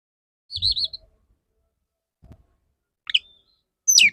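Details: Male Oriental magpie-robin courting a female: a quavering warbled whistle, then short sharp rising and falling notes, with soft low thumps in between.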